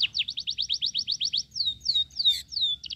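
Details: Sooty-headed bulbul chick on a cricket diet begs with a fast string of bright downslurred chirps, followed by longer falling whistles and a closing burst of quick notes.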